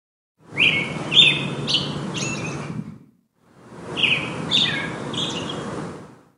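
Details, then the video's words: American robin in a park in spring gives two bursts of sharp, high chirps, several notes each, over steady low background rumble. "bird chirps"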